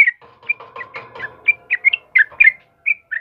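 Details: Sooty-headed bulbul (trucukan kebo) in morning song: rapid chirpy whistled notes and paired phrases over a low, steady tonal hum in the background, with a short gap near the end.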